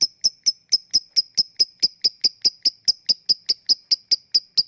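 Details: High, sharp lovebird ticks in the 'ngetik' style, meant as a lure for lovebirds that rarely sing. The clicks repeat regularly at a little over two per second, each brief and metallic, with nothing else audible.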